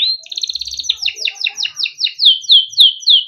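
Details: Yellow canary, cage-kept, singing tutor song in the ngerol style for young birds: a quick rattling trill gives way to a series of clear descending slurred whistles, about four per second.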